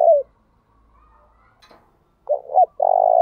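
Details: Decoy spotted dove calling so wild doves respond, repeatedly changing its song; the tail of one coo opens the recording, a faint tap follows, then short hooked double notes lead into a long sustained coo.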